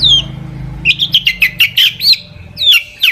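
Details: Long-tailed shrike singing a busy song with many fills, intended to provoke other shrikes: a descending whistle, then a fast stuttering chatter of short notes, ending with more falling whistles.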